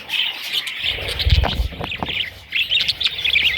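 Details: Baby parrots in bursts of high, scratchy chirping, broken by a quieter gap with low thumps and rustling near the middle before the chatter resumes.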